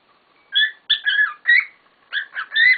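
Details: Pet cockatiels in a lively chorus give loud whistled notes, some flat and some rising or wavering, in quick phrases of one to three notes.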